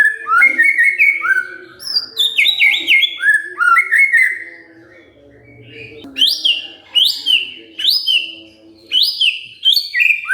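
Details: White-rumped shama, stirred up and replying with song: rapid runs of descending whistles, then a pause and sharp, high upward-flicking notes repeated roughly every second, over a low background hum.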